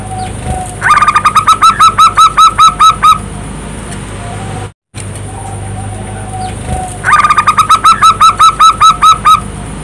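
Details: Local zebra dove call used as a lure to prompt silent doves to answer: a short low tone, then a rapid series of about a dozen clipped, rising cooing notes, with the phrase repeated after a brief silent gap.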